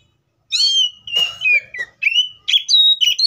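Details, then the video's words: Wild Oriental magpie-robin in a varied run of loud, clear whistled phrases, some sliding down and some rising, broken by short scratchy notes, given almost without pause. "THIS COPSYCHUS SAUCARIS BIRD MOST LUXURIOUS SOUNDS LIKE IN THE WILD!"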